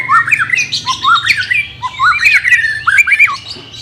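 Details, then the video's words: White-rumped shama singing, used to train a reluctant bird: rich warbled whistles with rising and falling slurs in quick, varied phrases. "CARA MELATIH BURUNG MURAI BATU MALES BUNYI"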